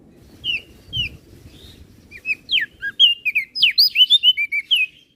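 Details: Flores crested white-eye 'gacor isian' song used as a master for other birds: a few spaced whistles open into a quickening, dense volley of high chirps and sweeping notes.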